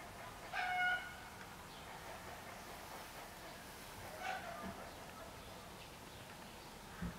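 A Eurasian bullfinch gives one soft, low, piped whistle near the start, then a fainter note midway, against a steady background hiss.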